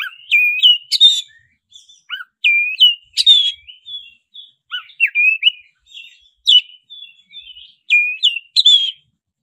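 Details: Black-breasted oriental magpie-robin (kacer dada hitam) singing a fast, rolling lure song: repeated upslurred whistles mixed with sharp, scratchy notes in brisk phrases, with brief gaps.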